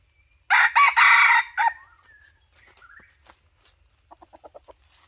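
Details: Red junglefowl crowing during hunting: one loud, harsh, multi-part crow in four segments lasting about a second and a half, followed by quiet, and then a short series of soft clucking notes.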